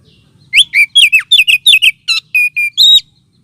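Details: Oriental magpie-robin lure call, also used as therapy for birds lacking aggression: a rapid string of about twelve loud whistled notes, downslurred and wavering, ending with flat steady whistles and a rising note.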